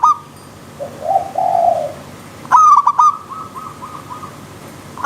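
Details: Zebra dove singing in the wild: a long soft coo, then a loud stuttered burst of ringing notes trailing into a quieter run of short repeated notes.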